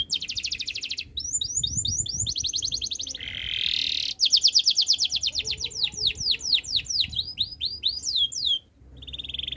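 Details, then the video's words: Canary producing a rich song of rapid high trills, a warbling middle section, then long runs of repeated falling whistles, closing with a buzzy roll after a brief gap. "KICAUAN BURUNG KENARI BIKIN KENARI GACOR DOR ● OCEHAN BURUNG KENARI BIKIN IRI"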